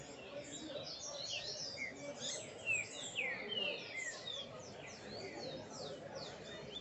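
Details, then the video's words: Male Double-collared seedeater (coleiro) singing near its nest and female: a fast, busy run of high chirps and slurred whistles, with other twittering and soft human voices in the background. "Coleiro PONTO 50 na puxada perfeita"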